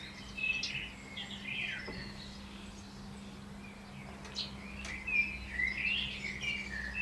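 A common blackbird sings faint, fluty warbled phrases in short bursts over a steady low hum.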